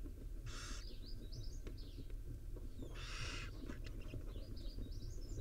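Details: Wild barn owl mother grooming her five owlets at the nest: two harsh, broad hissing screeches a couple of seconds apart, with thin chittering notes in between, over a steady low rumble.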